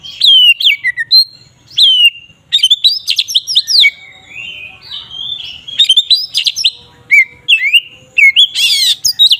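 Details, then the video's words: Magpie-robin ngeplong song for provoking other magpie-robins: rapid sequences of clipped whistled notes and rising slurs, dense chattering passages, ending with a harsh noisy rasp. "Suara burung Kacer ngeplong ini paling ampuh untuk pancingan Kacer agar emosi"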